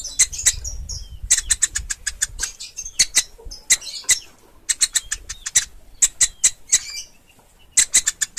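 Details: Pelatuk ulam woodpecker nestling: clusters of rapid high-pitched chips broken by short silences, some notes harsher and buzzier, over faint low background hum.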